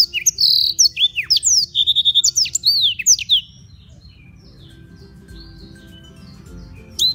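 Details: Black-throated canary at Beng, Gianyar, Bali, kept to tutor other birds, sings a fast three-second burst of high looping whistles and slurred notes, then falls mostly quiet with a faint distant call and a last note.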